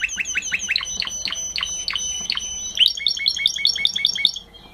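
A canary sings a quick run of rising, bright notes about five per second, then switches to a faster, higher rolling trill before stopping.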